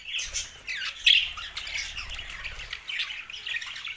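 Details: Budgerigars chirping in a steady, dense warble of overlapping high chirps and squawky notes, with short louder bursts around the one-second mark and faint low rumbling underneath.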